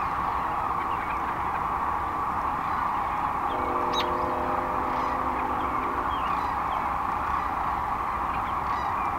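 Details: Sandhill cranes by the thousands at their river roost near North Platte, Nebraska, at Muskrat Run Wildlife Management Area, early on March 25, 2012; an unbroken wall of rattling, bugling calls, with a steady humming tone for a few seconds midway.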